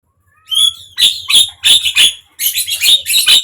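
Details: Javan myna sound played to prompt a silent bird to open its beak and sing: a rising whistle followed by a series of harsh, chattering, rasping notes in short bursts.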